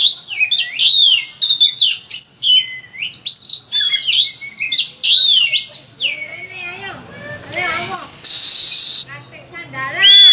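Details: Oriental magpie-robin in loud, vigorous master song packed with varied phrases, used to prompt other magpie-robins to sing: rapid whistled slurs and chattering notes, then a brief harsh, noisy burst near the end before the whistling resumes.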